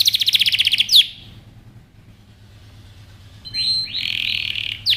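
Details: Singing canary: a quick trill of high repeated notes ending in a sharp downward sweep, then a long quiet gap, then a harsh buzzy rolling trill closed by another falling note.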